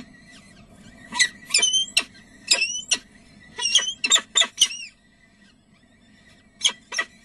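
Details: Peregrine falcons at De Mortel, Netherlands, on 30 April 2009 at 19:30: a run of about ten short, harsh, scratchy calls in quick bursts over five seconds, then quiet, then two more calls, over a steady faint electrical hum.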